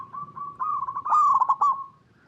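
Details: Local Indonesian zebra dove (perkutut lokal), recorded in natural habitat and used as a lure to get other zebra doves to answer. It gives soft, mid-pitched coos that break into a quick rolling, stuttering phrase in the middle, then fade.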